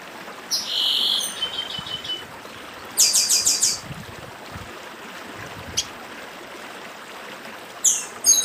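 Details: Northeastern papa-arroz 'dedim' song: a buzzy note, a pulsed high burst, a lone sharp click and final chirps, separated by long stretches of gentle stream sound.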